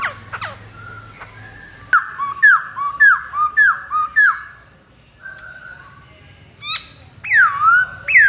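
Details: White-browed laughingthrush singing: a run of five loud, clear slurred whistles repeated about every half second, then a pause with softer level notes and a final burst of bright rising and falling phrases.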